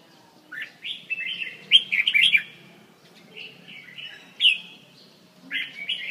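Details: Red-whiskered bulbul from central Vietnam: a series of short warbled whistled phrases, loudest in the middle, with a sharp high click and a final bright phrase near the end.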